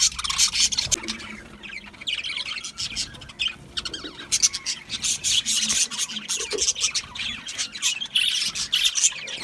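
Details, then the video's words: Budgerigars in a dense, scratchy warble, rapid gritty clicks and high chirps packed tightly together, with brief louder peaks and little pause. "Budgie Parrots Chirping sounds"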